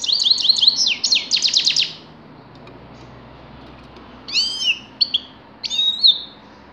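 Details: Grey-crowned goldfinch: a rapid burst of tinkling, twittered notes, a pause, then several separate sharp, downslurred chirps and a short trill.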